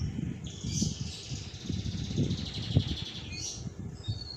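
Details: Adult female domestic canary in a roll (ngerol) song: a soft, continuous trilled roll lasting about three seconds, with short chirps at its start and end, partly masked by loud low rumbling and handling noise.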